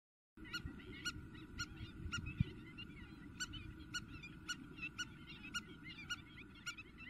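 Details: Spur-winged lapwing calling intensely in Greece in April 2023: sharp, ringing metallic notes repeated about twice a second, with softer chattering between them, over a steady low rumble and a constant high drone.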